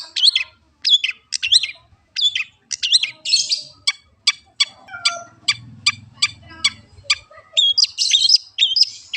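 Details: Long-tailed shrike song: rapid whistled sweeps and harsh bursts giving way to a long even series of crisp ticks, then more chattering whistles, with a low hum in the background.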